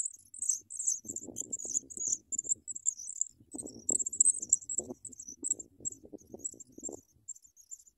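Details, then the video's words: Sprague's pipit chicks fed big worms by an adult, keeping up high, thin, chattering squeaks throughout, while scratchy rustling and fluttering sounds come and go beneath them. "Wow Sprague's pipit Bird brings big worms for babies to eat"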